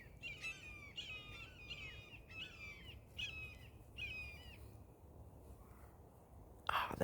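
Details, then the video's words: Red-tailed Hawk heard over a backyard, calling from up high; the observer suspects two hawks. It gives six short, harsh, slightly falling calls about one per second over faint hiss, followed by a brief burst of noise. "The beautiful sounds of Red Tail Hawks"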